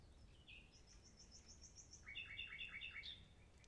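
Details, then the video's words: Common nightingale singing a varied phrase: a slurred note, a thin high trill, then a rapid series of sharp rising chirps, over soft background noise. "Nightingales Reign"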